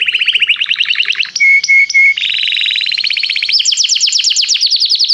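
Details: Canary singing during song training, calling another canary to sing: loud, fast trilled phrases of repeated notes, a steady pure whistled tone near the middle, then higher rapid rolling trills.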